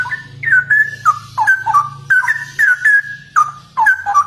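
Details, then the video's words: Straw-headed bulbul in full gacor song: a continuous string of sweet, gurgling, sliding whistles, each phrase under half a second, set against a faint low hum. "Burung CUCAK ROWO Gacor Dor Abis Viral ROPEL"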